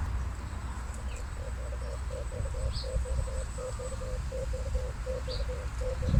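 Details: Male red turtle dove calling: a steady run of low, throaty, rolling coo notes, about fourteen short units over five seconds at an even pace, with a few faint high chirps of other birds and low background rumble.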